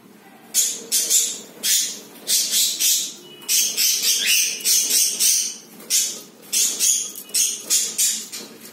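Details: Pet budgerigars kept indoors as a breeding pair with their first egg: a loud run of harsh, buzzy, scratchy chirps in quick bursts, roughly two per second, continuing throughout with short pauses.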